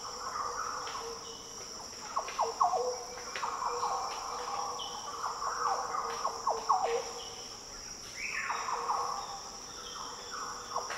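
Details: Green Orioles in the Daintree rainforest of tropical northern Australia give deep, liquid, fluty rolling song phrases every few seconds over a steady high insect drone. The species often countersings, birds answering and copying each other's variations.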